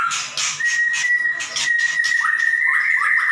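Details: Caged white-rumped shama: a long level whistled note held steady, overlaid by rough buzzy bursts, ending in quick rising chirps.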